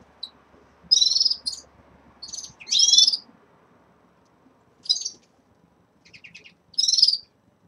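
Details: Caged red-fronted serins starting to moult give high, buzzy, twittering phrases in irregular bursts about two a minute apart, with short gaps and faint background rumble.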